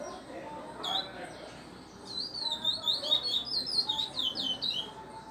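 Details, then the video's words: Caged male-style Chestnut-bellied seed finch (curió) song of the Pardo style, given during tutoring with a recorded model: rapid run of high, clear whistled and slurred notes, rising and falling, with faint room background. "Curió Pardo Barão | Sendo Encartado no Selo Prata"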